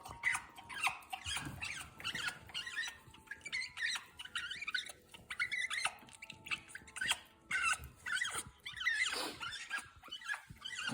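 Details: Pet African grey parrot giving a busy run of varied whistles, squeaks and chatter, some notes rising and falling, in a small indoor room.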